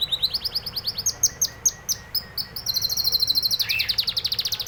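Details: Canary in song, delivering a steady series of clear chirped notes, then shifting into a faster, higher rolling trill with a rising buzzy element.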